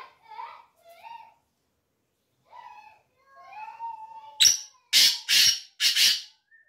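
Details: Black francolin giving a grating call of four short, harsh bursts in quick succession, preceded by softer tonal whistled sounds and faint voices.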